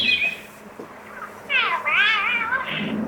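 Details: Palm Cockatoo of the Australian subspecies, filmed wild near the Archer River on Cape York while a male sits at the nest with a stick; a whistled call likened to 'hello', heard as two harmonic-rich notes, the first rising, the second a longer wavering arch.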